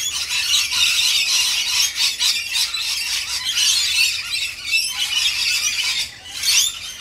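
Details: Rainbow lorikeets squeal and screech loudly in a dense chorus as they are fed, dipping briefly near the end before a final loud burst.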